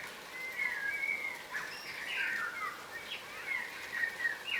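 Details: Yellow rosellas, a crimson rosella subspecies, feeding on the ground. Bright whistled slurs mix with harsher chatter, a few louder notes stand out, and a faint hiss runs in the background.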